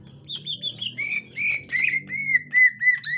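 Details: Captive 'gotri' green leafbird reacting to a young wild green leafbird: quick high chirps, then a run of loud, slightly falling whistled notes about three per second, with a low hum underneath.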